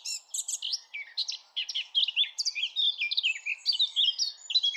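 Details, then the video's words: Eurasian blackcap song: a fast, rich warble of sweet chirps and fluty slurred notes, high-pitched and nearly continuous, with quick rising and falling phrases and no other sounds. "SONG OF THE BLACKCAP"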